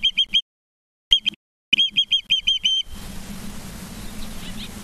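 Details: Osprey at the nest in Charlo, Montana, on an evening in September 2023: short bursts of piercing, high chirps, two to six in a run with brief gaps, then a constant low mechanical hum.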